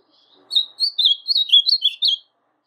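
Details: Ultramarine Grosbeak in brown plumage, a caged bird, delivering one brisk song phrase of about eight high, chirpy, up-and-down whistled notes strung together in just under two seconds, with nothing else audible.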